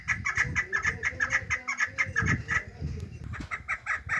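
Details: Young and female chukar partridge calls, called meri: short, bright chirps in a quick, even series, broken by a brief pause before resuming, over low rumbling background noise.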